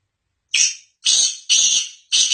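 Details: Black francolin (Francolinus francolinus), call.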